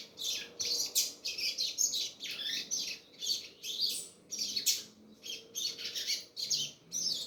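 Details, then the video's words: A double-collared seedeater delivers choppy, buzzy phrases of high chirps, repeated in quick bursts roughly every half second with short silences between. "coleiro gasparzinho filho cachoeira negra"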